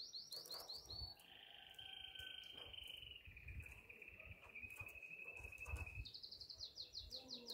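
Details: Canary in heat calling for a female: quick descending chirps lead into long steady rolling trills at lower pitch, ending in a fast run of sharp chirps, over a rumbling noisy background.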